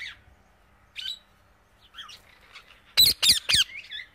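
A parrot gives a few thin squeaks, then three loud, harsh squawks in quick succession near the end.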